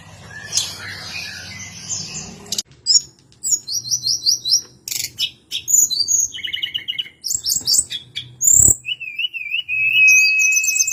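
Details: Varied song of a hill blue flycatcher, known locally as tledekan gunung: fast buzzy trills and chattering notes, then a long wavering whistle that steadies into a level tone.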